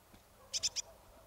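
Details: Marsh tit at Kawęczyn, Nowy Korczyn, Poland, uttering three rapid, sharp high-pitched notes in quick succession within a third of a second, against a quiet background.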